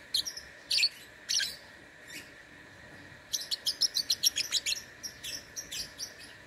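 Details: Lovebird in an online song contest, Singkawang, West Kalimantan: a few loud harsh chirps, then a quick accelerating chatter of a dozen or more high, clipped notes, with a steady background hum.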